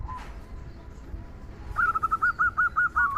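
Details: Local zebra dove song, a "kung" style used to make other doves sing; after a quiet start, a clear run of evenly repeated short whistled coos about every quarter second, with background hiss.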